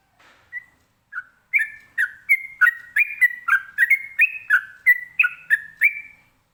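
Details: Sooty-headed bulbul (local name trucukan) singing ropelan-style to provoke replies from other birds: scattered opening notes building into a brisk, even string of clear whistled two-tone phrases.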